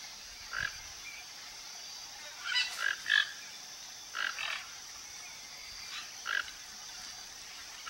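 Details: Toco toucans, a flock foraging around a backyard in Brazil: short hoarse croaking calls in scattered bursts, several grouped near two to three seconds and again near four and six seconds, over a steady high hiss.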